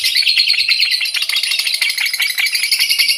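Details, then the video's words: Lovebird singing in the long chattering ngekek style: dense, rapid, buzzy high twittering, continuous and unbroken, with quick pulses running steadily throughout. "LOVE BIRD NGEKEK MENTIL"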